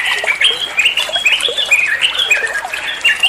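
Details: Trucuan (yellow-vented bulbul) song used to train other songbirds: quick bubbly squeaks and rising whistled slurs packed tightly together, with a harsh chattery edge and faint background hiss.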